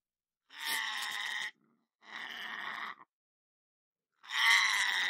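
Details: Pet male lorikeet kept indoors in a home, calling with three harsh, raspy screeches about a second each, separated by clear silent gaps.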